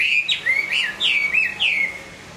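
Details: Hwamei singing while moulting: a quick run of loud, clear whistled notes that slur up and down, each phrase swooping and gliding before a longer falling whistle fades out.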